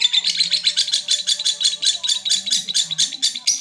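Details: Mentil-style lovebird call used to excite other lovebirds, Garut: distinct bursts of harsh, high chirping repeated about four times a second, over soft background voices and a low hum.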